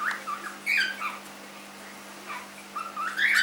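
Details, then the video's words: Three-month-old cockatiel kept as a pet chattering with squeaky chirps, a downslurred whistled note and, after a pause, rising scratchy calls ending loud; light background hum. "My cockatiel - Fish 3 months old"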